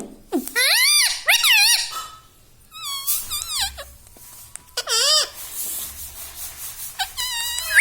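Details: Pet ringneck parrot that is said to talk, saying mummy, papa and radhe radhe; several loud wavering, rising and falling speech-like phrases, each lasting under a second, with brief quiet gaps between them.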